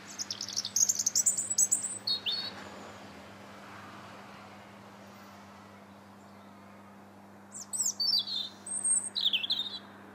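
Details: Winter singing by a European robin, Linear Park in Bath, 21 January 2017, from a bridge: two bursts of high twittering, warbled phrases separated by roughly five seconds of near silence, over a low background hum.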